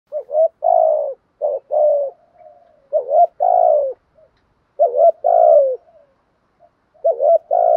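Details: Spotted dove cooing to stimulate other doves to call: loud, low, hollow coo notes in bunched pairs and triplets, separated by short pauses and soft murmuring coos, the pattern recurring about every two seconds.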